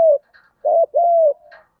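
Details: Spotted dove fighting coo in the 'giọng đồng' style, used as a lure to provoke wild doves. A brief coo is followed by a stuttered note and a longer, level, drawn-out coo. Faint soft chirps sound in the background.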